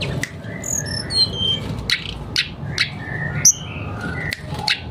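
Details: Mangrove blue flycatcher in lively song, showing its repertoire: clear descending whistled notes in a cascade, then varied short slurred whistles and sharp upswept notes at irregular intervals, over a quiet low hum.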